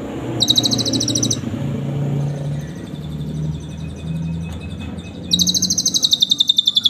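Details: Asian pied starling singing canary imitations for training other birds: two bursts of fast, high rattling trills around low traffic rumble from passing vehicles.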